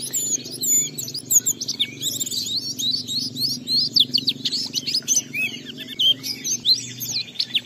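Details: Oriental white-eye singing ngalas style, played so other white-eyes answer with open beak: fast, varied high chirps, squeaky slurs and short trills in an unbroken rush.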